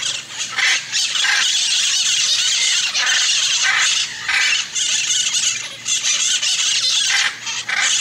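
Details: Hyacinth macaws giving harsh, loud, grating screeches in long bursts that run one into the next with only brief dips between them, high and raspy throughout.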